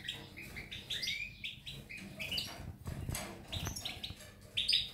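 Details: Goldfinch twittering recorded 19 May 2018: a few clear high chirps and slurred notes at the start, followed by rustling and clicking noises with scattered faint notes, and a short bright chirp at the end.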